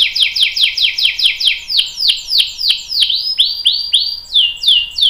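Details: Lively canary whose long-rolling song serves to prompt other canaries to sing; a run of loud downward-sweeping whistled notes, changing pitch and speed partway through, about two per second.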